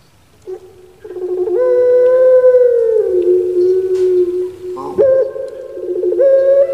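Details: Captive puter pelung dove from Java, Indonesia: after a quiet start, a deep sustained coo slides slowly downward for several seconds, then a new rising phrase begins.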